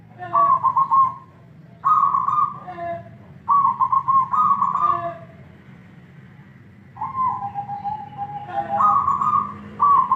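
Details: Zebra dove, a kept bird, singing: short bursts of rapid, mid-pitched cooing notes, some trilled, separated by pauses of one to three seconds over a low background hum.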